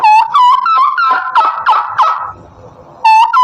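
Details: Turkey gobbling: a rapid run of harsh, rattling pulses that starts with clear ringing notes, stops briefly, then another burst of bright ringing notes begins.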